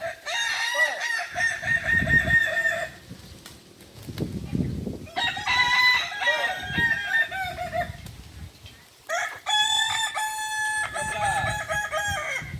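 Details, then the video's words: Kukuak Balenggek roosters crowing during a group training session at Ampang Kualo, Solok city: three long, stepped, harmonic-rich crows each lasting around three seconds, separated by pauses, with low thumping handling noise underneath. "latihan bersama ayam kukuak balenggek (akb)"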